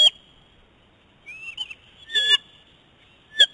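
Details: Eagle food fight on the nest between a male with prey and a young female; scattered short piercing yelps and one softer rising whistle, separated by quiet gaps.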